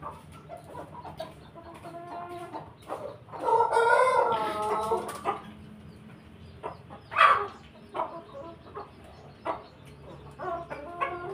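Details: Chicken crow from a mixed flock of pelung, Bangkok and laughing (ketawa) chickens kept with a chicken family; a harmonic, wavering crow lasting about a second near the middle, surrounded by scattered clucks and a later short squawk.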